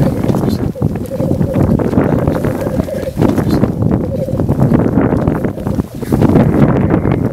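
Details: Black grouse in the heart of the Swiss Alps. A low, dove-like bubbling coo rolls in short phrases of about a second each, set against dense crackling and thumping background noise.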